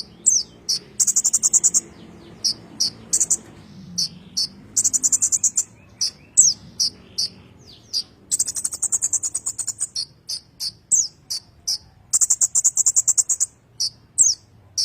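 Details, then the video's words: Lively ngerol song of a kolibri ninja, recorded as master song for magpie-robins: bursts of fast high trills alternating with groups of sharp chips and quick downslurred squeaks, singing nearly without pause. "kolibri ninja ngerol cocok buat masteran burung murai batu"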